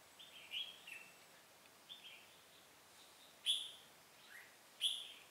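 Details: Red-whiskered bulbul recorded during bulbul trapping on 18 September 2017: sparse, short bright chirps and slurred notes, several louder clear ones near the end, spaced irregularly over faint steady background hiss.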